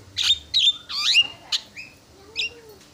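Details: Javan myna (Acridotheres javanicus) sings fast filler song, a jumble of high whistles, rising and falling slurs and harsh chattering bursts in quick phrases, used as a lure to which rival mynas respond.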